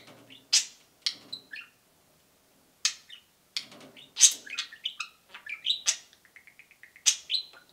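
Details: Pair of pet budgies indoors cheeping: sharp high chirps spaced by pauses, then a run of quick rapid ticking peeps and warbled notes near the end.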